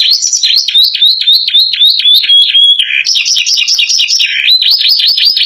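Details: Caged canary singing a loud, explosive song tutored with ciblek and gelatik phrases: fast, continuous high trills and chirps, sliding and repeated several times a second, with one long steady whistled note mid-phrase.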